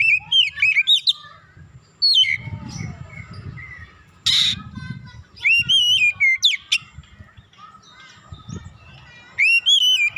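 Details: Oriental magpie-robin, kacer, warm-up recording meant to raise aggression: bursts of loud varied whistles and sweeping notes with quiet gaps, a harsh noisy burst midway, low background rumble.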